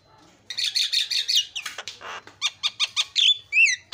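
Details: Javan myna song used as a lure to provoke other mynas into a rage, with varied phrasing: a run of harsh buzzy bursts, a rasping noisy stretch, then clipped downward whistles and a final looping whistled note.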